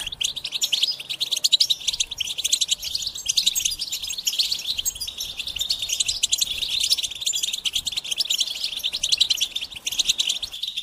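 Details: Rapid, sustained goldfinch song of jangling chirps, twitters and short buzzy trills, delivered almost without pause from start to finish.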